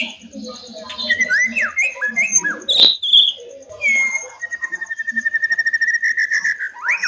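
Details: White-rumped shama in fighting lure song to anger rival birds: varied slurred whistles and a loud piercing note, then a long level whistle breaking into a fast rattling trill of rapid repeated pulses.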